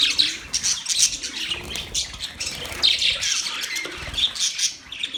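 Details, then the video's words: Chattering budgerigars from November 19, 2023, giving bursts of shrill, rasping chirps in waves roughly every second, several birds calling at once, with faint fluttering and soft knocks in the background. "Cute Budgies chirping sounds"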